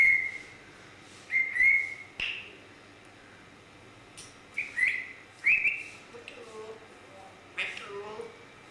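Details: Grey parrot giving short high whistled chirps scattered irregularly, with a few lower mumbled, speech-like notes later on.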